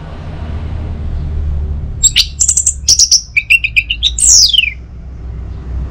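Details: Morning song of an Orange-headed thrush meant to prompt other birds into singing: after a quiet start, a rapid string of high piping notes, a run of lower even whistles, then a loud downward-sliding whistle.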